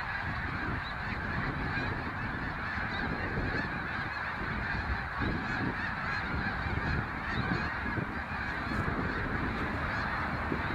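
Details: Large migrating flock of snow geese, many voices honking at once in a thick, even chorus lasting over ten seconds, with a deep rumbling background and occasional sharper high notes.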